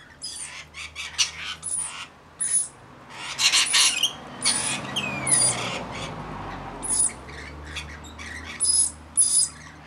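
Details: Mixed flock of about 40 rainbow lorikeets caring for a baby: continuous overlapping shrill screeches and chattering notes, rapid and irregular, some louder birds close by.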